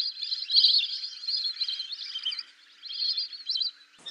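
Lesser whistling ducks give a dense run of high, thin whistles and twittering notes, with a brief lull near the middle. No other sounds stand out.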